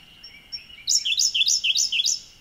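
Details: Siberian blue robin singing from cover in a dwarf bamboo thicket, Oku-Chichibu, recorded with a Nikon Z50II: quiet thin lead-in notes, then five loud high two-note down-slurred phrases repeated about every quarter second, over a steady high background tone.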